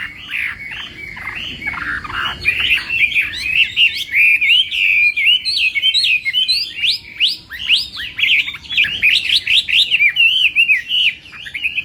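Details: Chinese hwamei's contest song during morning voice training: a long, dense, unbroken stream of loud whistles and twisting slurred notes, speeding into rapid chattering runs.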